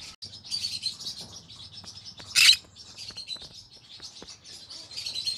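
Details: Steady scratchy high chatter from a green-cheeked conure in the evening, with one loud harsh squawk in the middle, a few clicks and low background noise.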